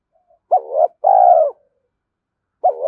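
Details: Decoy call of a spotted dove to provoke wild birds: a short undulating coo followed by a long, steady, mellow hoot, with the next phrase beginning after a pause.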